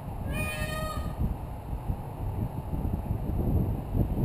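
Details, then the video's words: A single short, rising, harmonic wail from a peacock on a rooftop, followed by rumbling background noise and a persistent high whine. "Rooftop Peacock"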